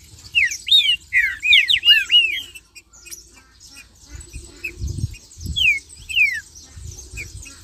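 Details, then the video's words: Green-winged saltator song used to stimulate other saltators to sing: a burst of loud, clear whistled notes sweeping down and up in a quick run, then scattered short slurred whistles, with low thumps and hiss in the background. "Trinca-Ferro Marcheando e Cantando - A Melhor BADERNA para Esquentar seu Pixarro!!!"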